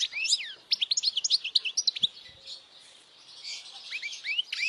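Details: European goldfinch singing loudly, a recording meant for young goldfinches to memorize and to bring in females. A rapid run of sharp, high tinkling notes and short buzzy slurs, then a pause before more descending twitters.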